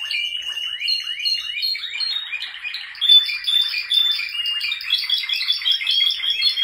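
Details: Male Spanish Timbrado canaries singing: fast, high, continuous trills and rolling chirps, with sweeping notes early on giving way to rapid metallic rattles and sustained ringing tones.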